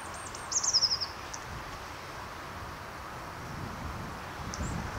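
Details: A Hawfinch in January gives a quick burst of six or seven sharp, high ticking notes, then one more faint note later, over a steady outdoor hiss.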